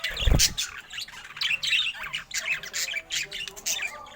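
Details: ['Budgerigar described as happy, making repeated squawky chirps and warbles in quick bursts after a low knock at the start.']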